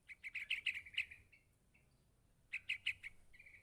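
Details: Young yellow-vented bulbul begging from its parent with rapid runs of bright, high chirps, about seven in the first burst, then a short pause and a second run of four before a brief trill.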